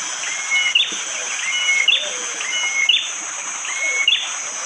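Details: Bar-winged prinia giving its hard, sharp 'tembakan' song in morning forest at Wonocoyo Village, Panggul, East Java, Indonesia, phone-recorded with rain. A rising whistle snaps into a high sharp note, repeated about once a second over a steady high hiss.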